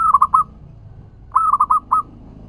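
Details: Zebra dove of local stock in full song, used as a lure so other doves answer. There are two quick bursts of mellow cooing notes, the first of three notes and the second a longer run of five.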